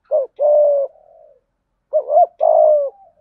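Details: Spotted dove used as a decoy bird, calling in the 'giọng thổ' voice style: two phrases about a second apart, each a short hollow coo followed by a long, burry, drawn-out coo that sags at its end, against a quiet background.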